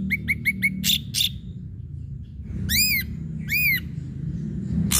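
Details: Provocation recording of an ashy drongo: a quick run of four short chirps, two harsh rasps, then two loud arching whistles and a final rasp, over a noticeable low rumble.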